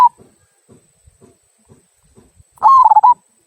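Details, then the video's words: Local zebra dove in "kung" song style, used to set other birds singing: faint soft taps in the background, then one clear, quick, pulsing coo phrase lasting about half a second. "Perkutut Lokal Suara Kung, Cocok Untuk Pancingan"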